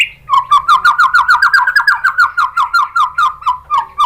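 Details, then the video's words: White-rumped shama singing, used to provoke other shamas: after one higher note, a fast even series of about twenty-five clear repeated whistled notes, gently rising then falling in pitch. "MURAI BATU APAPUN SPONTAN NYAUT ¦ PANCINGAN MURAI ¦ SHAMA BIRD"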